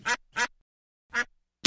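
A duck gives three short, harsh, nasal quacks, the first two close together and the third after a pause, with another starting at the end.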